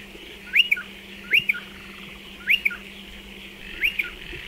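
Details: Striated pardalote calling beside its burrow nest in a dry stone wall: four bright two-part calls, each an upswept whistle and a clipped lower note, spaced about one second apart, with a faint background hum.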